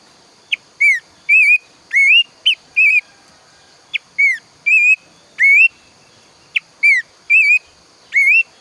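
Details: Repeated phrases from a planduk semak bird, a loud singer of morning and early evening: each phrase opens with a sharp blip followed by two or three wavering clear whistles, recurring roughly every two and a half seconds.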